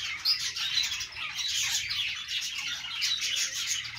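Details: Budgerigars singing on a perch indoors: continuous dense warbling chatter of high chirps and squawky notes, several birds overlapping without pause.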